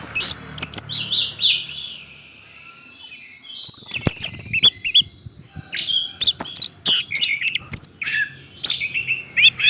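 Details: Orange-headed thrush in full song, meant to trigger other thrushes to sing: fast, varied high whistles, squeaky chirps and sharp clicks in busy bursts separated by short pauses, with faint low background hum.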